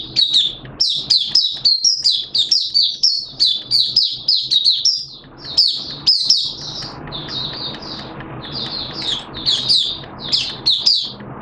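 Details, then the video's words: Caged Malaysian white-eye singing openly, June 2023: long, energetic high-pitched twitter of quick slurred notes, easing to a softer patch with hiss before another busy burst. "Malaysian Mata Puteh Buka Sing"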